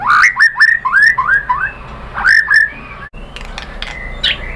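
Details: White-rumped shama song meant to prompt other birds to sing: a quick run of rising whistled slurs, brief pause, a second shorter run, then sparse high thin notes and clicks.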